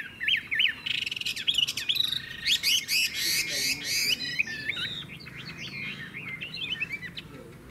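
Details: Loud song of a captive Chinese hwamei in Vietnam: clear rising and falling whistles, then a burst of fast rattling notes, before more slurred whistled phrases return.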